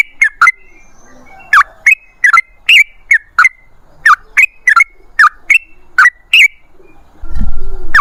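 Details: Trucukan song: clear, bubbling whistled phrases in a loose rhythmic string, about two per second, ending with a low rumbling knock.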